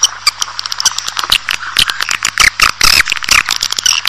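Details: Dense swiftlet twittering used to lure a colony into a building: crowded clicks and rasping chirps overlapping irregularly, bright and high, with a low steady hum.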